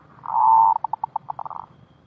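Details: Zebra dove in its rolling voice style, suara gulung: a drawn-out low hum followed by a loose string of short soft pulses that quicken and bunch together at the end.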